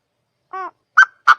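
Quail giving a three-note call: a soft nasal note, then two sharp, loud clipped notes about a third of a second apart. No other sounds.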